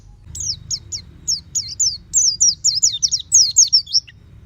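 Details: Oriental white-eye kept at home, singing in the loud open-beaked 'ngeplong' style: a rapid run of high, thin, down-slurred whistled notes that quickens into a dense twittering chatter, with a low hum underneath.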